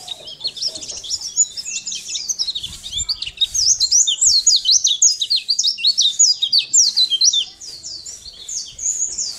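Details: Sunda white-eye song recorded as tutor material for training other birds to sing: a dense, continuous run of high, thin, twittering notes, fast slurred up-and-down chirps packed closely together, with a brief softer pause near the end.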